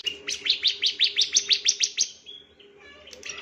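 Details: Bar-winged prinia on a training recording for other birds, a possible male, delivering a quick run of ten bright, rising-falling chirps about three per second, then a soft trailing note and brief quiet.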